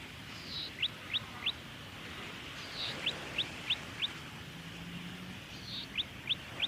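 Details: Golden-headed cisticola recorded in Victoria, Australia, October 2020: three times a brief buzzy note is followed by a quick series of three or four thin, high, upward-flicking notes, over a constant low hum of background noise.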